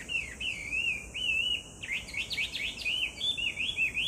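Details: A Chinese hwamei, July 2019, pours out smooth wavering whistles, then a burst of sharp, rapid upsweeping notes, then more looping whistles, with a persistent shrill insect drone behind.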